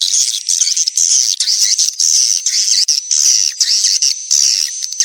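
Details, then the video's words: Courting swiftlets used as a lure sound: steady, shrill, buzzy high trilling that wavers slightly in pitch, broken by brief gaps about every half second. "SP BIRAHI LINTAS SENJA ORI 2023 | Suara walet Terbaru"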